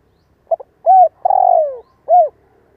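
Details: Decoy spotted dove calling to prompt young birds to coo: a short stuttered pair of notes, a smooth arched coo, a drawn-out rough falling phrase, and one closing arched coo over faint background hum.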